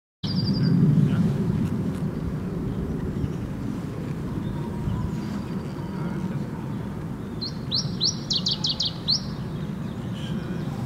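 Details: Iberian chiffchaff singing on 12 April 2016: high, thin notes, then a quick run of about eight sharp falling notes, over a steady low roar of wind or distant traffic.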